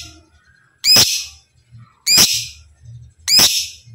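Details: Kept lovebird giving a loud, harsh, rasping chatter in three bursts roughly 1.2 seconds apart, each a short noisy buzz; described as a long trill used to train other kept lovebirds to sing; faint low rumble between bursts.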